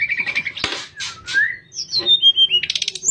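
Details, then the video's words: A sooty-headed bulbul (tledekan) gives flute-like 'nyuling' song for training other birds: short warbled notes, a smooth rising whistle, a falling whistled glide, then a fast ticking trill. "Burung Tledekan Suara Nyuling Buat Masteran"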